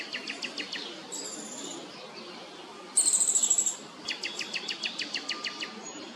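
Downy woodpecker chicks give bursts of rapid, raspy chattering, a dozen harsh notes in a second or two, with thin, very high squeaks between bursts.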